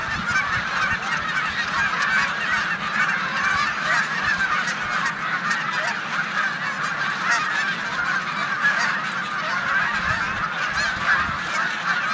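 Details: Snow geese crowding a corn field on Olmstead Road, Savannah, New York, in March 2020, alongside resident Canada geese, before flying to the Canadian tundra. Unbroken, massed honking chorus with occasional low thumps.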